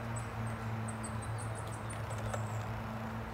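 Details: A Goldcrest in Tivoli Landscape Park, Ljubljana, Slovenia, on 23 November 2022 gives a quick series of very high, thin, needle-like 'zee' notes, about ten in two seconds, over a steady low hum of distant traffic.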